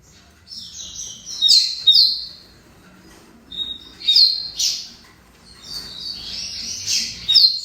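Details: Double-collared seedeater, a tournament-style songbird, singing clear high whistled phrases with sharp upslurred notes and buzzy trills, bursts separated by short pauses; faint low background hum.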